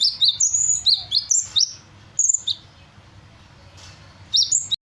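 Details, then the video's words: Vocal sunbird copying assorted birdsongs: a quick burst of high, clipped whistles and chirps alternating between two pitches, then scattered notes, a long near-silent gap, and a final pair of sharp chirps, with a low hum throughout. "Burung Kolibri gacor, menirukan berbagai suara burung"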